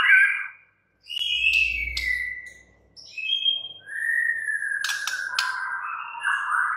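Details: White-rumped shama giving long, clear whistles that glide downward, with a short rising note, brief sharp clicks and a low rumble under the first phrases.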